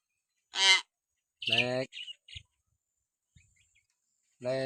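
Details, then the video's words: Common hill myna calls used as a lure for pet mynas: a short sharp squawk, a nasal harmonic call followed by two quick chirps, a pause, then another nasal call. "masteran burung beo suara siulan alami"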